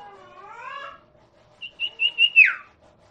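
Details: Common iora (sirtu, cipoh) song used as a lure for non-singing birds: after a soft, lower wavering sound, four rising, pulsing whistled notes end in a quick down-slurred sweep.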